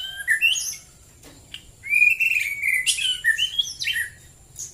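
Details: White-rumped shama in rural Prambanan, Central Java, singing at dawn hours: sweet fluting whistles flowing into fast, varied squeaky chatter after a brief quiet gap.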